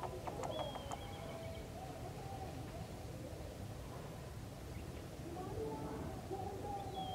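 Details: Wild grey parrot giving clear whistled notes: short sharp whistles near the start, then longer, level and slightly rising whistles toward the end, all over a loud, steady rushing background noise.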